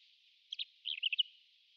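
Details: Wild pied wheatear, a rare passage migrant in Japan, giving a brief burst of high, scratchy chirps, a double note followed by a quick run of five or six twittering notes within one second.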